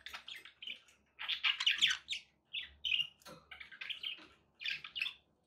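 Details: Budgerigars kept indoors as pets give loud warbling chatter with squeaky whistled chirps in quick bursts, over a faint low hum.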